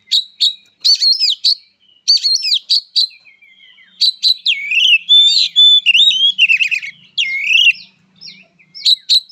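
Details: Kacer, an oriental magpie-robin known as a fighter bird, delivering fighting song: rapid, nearly continuous string of sharp chips, scratchy rattles and bright slurred whistles that rise and fall, with only short gaps between bursts.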